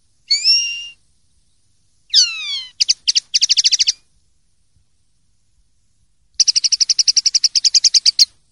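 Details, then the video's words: Clean-style common linnet song (pardillo limpio), 2023/2024: loud, bright whistled notes and steeply falling slurs, then quick staccato clicks, a short buzzy trill and a long, even, metallic trill of about twenty notes, with no other sounds. "CD PARDILLO LIMPIO 2023/2024"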